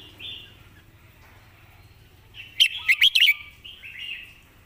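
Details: Song-tutor Red-whiskered bulbul with clear, well-phrased delivery gives a single rapid phrase of four or five bright, rolling whistled notes midway, framed by faint chirps from other birds.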